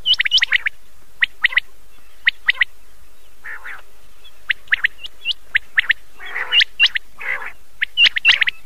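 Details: Common quail at night, old cassette: rapid upward-hooked whistles and sharp double or triple notes, broken by a few rough, lower rasping notes, all in quick, uneven sequence.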